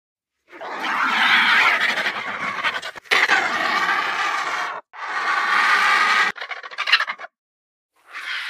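A Himalayan vulture gives harsh, rasping hisses in four or five bursts of one to two seconds each, separated by brief pauses.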